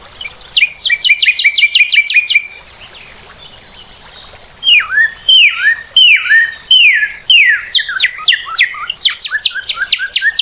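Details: Northern cardinal singing: a quick run of steep, sharp down-sweeping notes, a pause, then slower loud slurred whistles that fall and bend, each repeated under a second apart, ending in another fast burst of notes.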